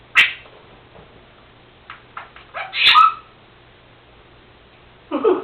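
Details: A pet Senegal parrot, female, known to mimic her owner's sneezing and to make farting sounds, gives a sharp burst, several short clicks and pops, a loud sneeze-like rasp, and then a final harsh chattering call in a room.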